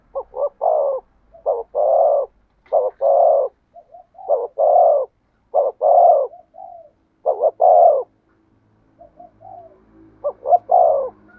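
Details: Spotted dove, 'thổ sấm' song style. Repeated phrases of deep, husky coos, each a quick double note and a longer rolling note, flow almost continuously over eleven seconds. A faint low hum is heard near the end.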